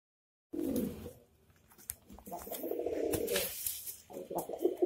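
A pigeon gives low, throaty rolling coos in three short bouts, each a soft burbling murmur, with faint room noise between them.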